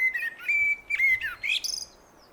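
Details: Loud, close blackbird song: a long steady whistled note and a few dipping whistles, capped by a rising, shrill twittering tail.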